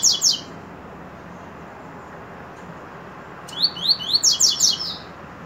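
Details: Coleiro song: a brief pair of high notes opens, then after a pause a rapid phrase of about eight bright, buzzy, upward-sweeping whistles runs for over a second, against steady low hiss.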